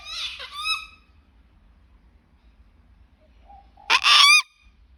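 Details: Sulphur-crested cockatoo giving two loud, harsh, raspy screeches, one at the start and a second, louder burst about four seconds later, with near silence between them.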